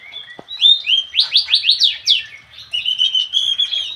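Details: Javan cochoa singing loud, rapid rising slurred notes in a steady series. After a brief pause, thinner sustained whistles follow. One sharp click is heard near the start.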